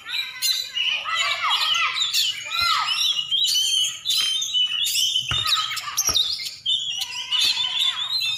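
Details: Champion Oriental magpie-robin in Aceh with an energetic song of bright whistles, falling slurs and sharp clicks, given in bursts with short pauses between.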